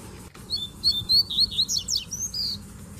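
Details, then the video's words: Group of Double-collared seedeater males singing with a female lowering herself to invite mating; lively whistled phrase of rising and falling notes with steep rapid downslurs, about a dozen elements, over low hum. "Baderna de Coleiros Cantando e Fêmea Baixando Gala"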